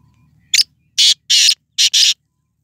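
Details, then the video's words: Black francolin, Sindhi nasal type, in excited calling mood, uttering a short clipped note and then four powerful, hoarse, buzzy notes in a rhythmic phrase lasting under two seconds. "Sindhi nasal tetar _Kala teetar _Kala tetar"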